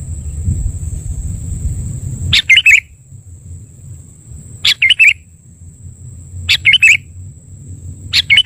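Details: Sooty-headed bulbul, locally kutilang, lure call used for trapping birds: bright chirpy clusters of two or three quick notes repeated every two seconds or so, over a steady high whine and low rumble.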